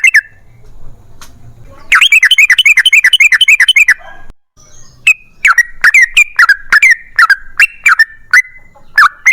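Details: Yellow-vented bulbul in energetic long-rolling song, used as a lure to make other bulbuls sing: a brief faint note, then a two-second run of rapid bubbly warbled notes, followed by scattered loud whistled phrases dropping and rising.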